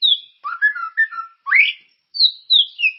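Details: Melodious whistling of a white-rumped shama, played as a lure to get caged birds singing: clear, sliding notes that rise and fall, with one swooping upward phrase followed by high descending whistles.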